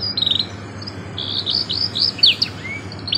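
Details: Canary tutor song in the 'cengkok mewah' style: high buzzy trills and short whistled slurs that run into quick descending notes, with a constant low hum behind.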